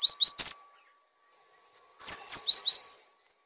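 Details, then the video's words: Gelatik batu, the cinereous tit, singing for use in training and provoking other birds: quick high notes, then a phrase of two falling whistles and a run of lower twisting notes. "Gelatik Batu Gacor! Untuk masteran dan pancingan Burung"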